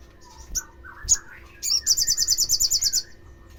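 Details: Olive-backed sunbird calling to provoke other sunbirds. Sharp single chips and slurred whistles lead into a loud, rapid, metallic trill of about a dozen even pulses lasting over a second.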